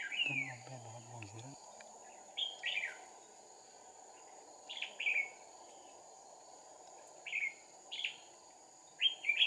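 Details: Fighting song of a caged Red-whiskered bulbul decoy used to lure wild birds, two decoys set, 2 April 2019; brief bright warbling phrases repeated every two seconds or so, with a low voice at the start and constant background hiss.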